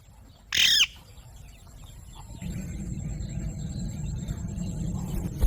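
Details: A single loud, harsh Alexandrine parakeet screech, rich in harmonics and lasting under half a second, rises out of quiet background hum; a low rumble of noise follows for the rest of the recording.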